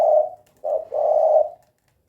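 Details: Spotted dove (tekukur) giving its "kuk 2" cooing: a low, soft coo, a brief pause, then a short coo running straight into a longer, steady coo, in a quiet setting.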